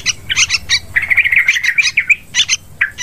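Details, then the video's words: Yellow-vented bulbul lure call for bird hunting: a few sharp chirps, then a rapid bubbling trill of linked notes, followed by scattered squeaky calls. "Suara pikat burung trucukan"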